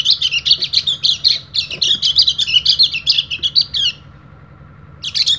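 An Oriental white-eye pours out a long, rapid run of high, thin chattering notes for about four seconds, pauses briefly, then starts again.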